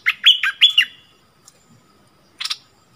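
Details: Caged decoy bulbul singing to lure aggressive wild birds, recorded 28 February 2021: a quick burst of four bright whistled notes, each with a rising then falling twist, followed by a short buzzy chatter after a pause.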